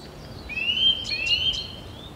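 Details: Eurasian nuthatch during nest building: a long, clear whistle rising slowly, overlapped by a second sliding whistle and a few faint higher notes, over low rumbling background noise.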